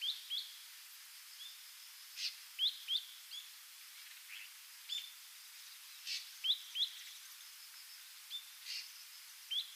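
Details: Wild ashy drongo on Yonaguni Island, Japan, visiting on migration in some years: soft, clipped upward-slurred notes, mostly in doublets, recurring every second or two over steady hiss, with occasional buzzy high bursts.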